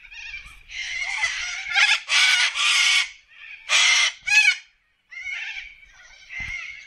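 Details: Wild corellas in an Australian forest give harsh, raspy screeches in loud bursts of about a second each, some overlapping as if several birds call at once, with quieter chatter between.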